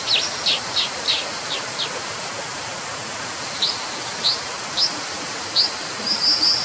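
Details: Brown Dipper (Cinclus pallasii) giving about a dozen sharp, high, buzzy 'dzit' notes, irregularly spaced, some in quick pairs, over the steady roar of rushing water.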